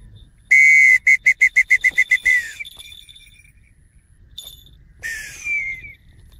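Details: Dark-morph changeable hawk-eagle in falconry training: a long, shrill whistled note, then about eight quick high whistles in a fast run, and a later falling whistle, with a faint murmur behind.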